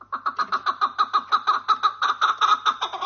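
Chukar giving a fast series of harsh, clucking chuck notes, about six or seven a second, steady in pitch and strength.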